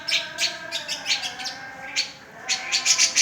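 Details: Cica jenggot in full, lively song meant to get silent birds singing: quick, irregular bursts of high chirps and twitters with brief pauses and a faint steady hum.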